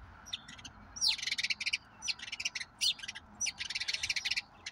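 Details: Two common grackles in a neighbourhood yard, gobbling walnuts from a hidden spot meant for blue jays and recorded by a bird cam. Scratchy, clipped notes come in uneven clusters, with one squeaky upward-sliding note early on.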